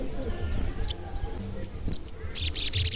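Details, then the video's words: Crimson sunbird (sogon), used as a lure to get other sogon singing and excited: thin, very high chirps scattered over faint background hum, ending in a brief burst of rapid high-pitched trilling. "Pancingan Sogon Agar Bunyi dan Emosi"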